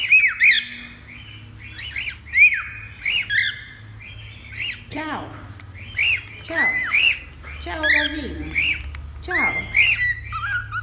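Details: Cockatiels to tame a pet: dense harsh squawks and whistled slides, some dropping steeply, repeated irregularly across the stretch, with low hum beneath and possibly a voice in the middle.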